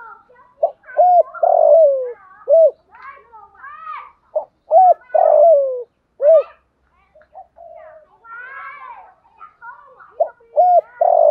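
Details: Repeated cooing of a spotted dove, used for luring wild doves. Low phrases of short arched coos and long descending notes come roughly every four seconds. Higher chirping and twittering from other birds fill the gaps.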